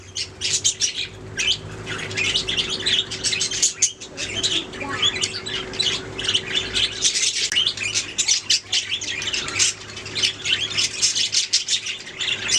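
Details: Budgerigars, a group of pet birds, chattering and singing in a dense, continuous stream of harsh squawks, chirps and scratchy warbles, with a steady low hum beneath throughout.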